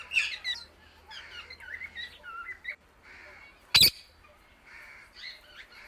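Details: Indian ringneck parakeet chirping loudly as it calls to other birds: a run of short, scratchy, wavering chirps, a sudden sharp crack midway, then more scattered chirps.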